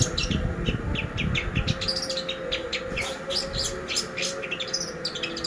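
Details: Lure recording of a long-tailed shrike for training songbirds, a dense run of sharp high chirps and quick warbled notes delivered almost without pause over a steady low hum.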